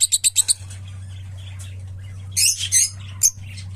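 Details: Opaline lovebird opening with a rapid run of five sharp, evenly spaced chirps, then quieter twittering and a burst of shrill, harsh squawks, all over a steady low background hum.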